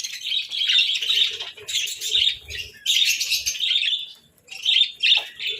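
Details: Several budgerigars chirping over a breakfast of boiled eggs and bread during winter, with lively, scratchy warbles in three long bursts separated by brief pauses, dense high chatter throughout.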